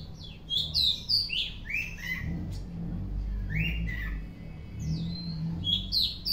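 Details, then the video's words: Oriental magpie-robin in afternoon song, giving bright whistled phrases and falling chirps in short bursts, with gaps between, over a steady low rumbling background hum. "Kacer Gacor On Play di sore hari"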